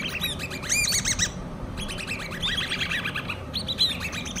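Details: Hand-reared common babbler chicks chattering in rapid strings of high, arched chirps, some sharp and very high. A brief lull near the middle is followed by more overlapping chirping over a low hum.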